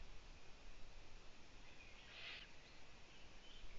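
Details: Nestling owls looking upwards, the mother not returning for two days, make a single short raspy hiss midway through, with a thin steady hum behind it.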